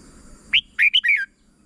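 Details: Short song phrase of a red-whiskered bulbul, used for teaching young birds: one upslurred whistle, then a tumbling burst of four liquid notes, ending falling, over a quiet background.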